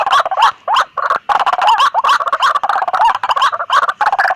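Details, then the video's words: Noisy White-breasted waterhen used as a hunting lure; fast, dense gurgling and croaking with frequent upward-sweeping squeaks, nearly continuous with only short pauses. "Suara pikat ampuh burung Ruak-ruak berisik"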